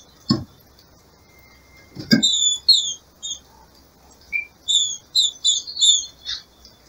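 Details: Captive female green-winged saltator in breeding season, calling to stimulate the male: scattered short, thin, high downslurred chirps, mostly clustered in the second half, with sharp clicking taps at the start.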